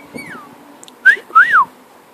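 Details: Male pet cockatiel whistling in flight: a short sliding whistle falls away, then two clear arched whistles rise and drop back, the second longer, over a quiet indoor background.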